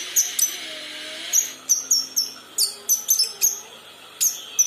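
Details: Short, piercing chirps and quick falling whistles from a young kinoi learning to sing, given in irregular pairs and triplets with brief pauses.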